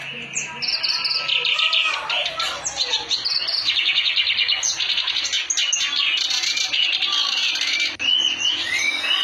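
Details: Kerak basi, the clamorous reed warbler, in energetic gacor song: loud, continuous jumble of grating chatters, rapid trills and sharp high whistles, delivered nonstop over about nine seconds.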